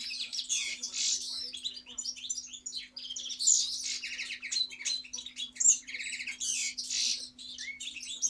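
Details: Lively European goldfinch song mixing buzzy trills, nasal rattles and tinkling chirps, phrases running on with short breaks, faint hum underneath.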